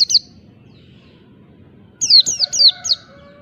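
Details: Wild-type Oriental white-eye song used to provoke rivals: one high falling note, a long silence, then four quick downslurred whistles, with a faint steady tone lingering underneath.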